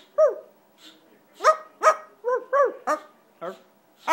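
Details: Pet scarlet macaw vocalizing indoors: a series of loud, harmonic, arched squawk-like calls, about eight in four seconds, each rising then falling, with short gaps between them.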